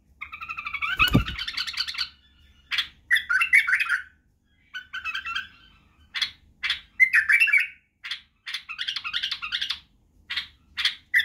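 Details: White-eared bulbul singing to teach young bulbuls song and wing-clapping: bubbly, warbled chirping phrases in short bursts about once a second, bright and mid-high, with a single sharp knock near the start.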